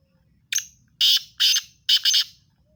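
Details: Black francolin, locally Sindhi teetar, calling loudly: a short opening rasp, then three harsh grating notes and a closely paired final one, the whole phrase lasting about two seconds over a near-silent background.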